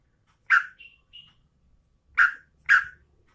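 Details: Calling female sooty-headed bulbul, ready to breed, summoning the male: one loud, harsh chirp with faint trailing notes, then after a pause two more forceful chirps half a second apart.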